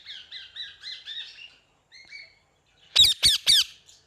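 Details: Parrot calls: a run of seven short, soft, downslurred squeaky notes in quick succession, a pause, one more faint note, then three loud, harsh, broadband squawks at the end.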